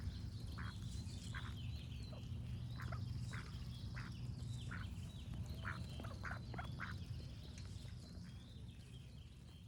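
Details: Duck giving a run of about a dozen short, harsh quacks, irregularly spaced and clustered in bursts, while birds sing faintly behind over a constant low background hum.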